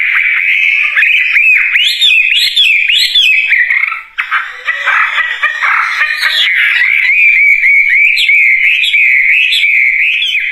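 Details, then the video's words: Wambie bird singing. It opens with repeated looping whistles rising and falling about twice per second, breaks into a harsh, noisy chatter, then settles into a long trilling whistled stretch. "Kicauan Burung Wambie Gacor Dorr"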